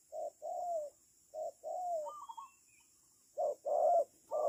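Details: Low coos from a spotted dove used to lure birds into a trap, with clipped and longer sliding notes, a brief higher trill in the middle, then louder coos.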